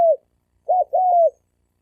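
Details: Male spotted dove cooing in a fighting challenge between males; short clear low coos, one brief note then a two-part phrase with a long steady falling tail, in silence.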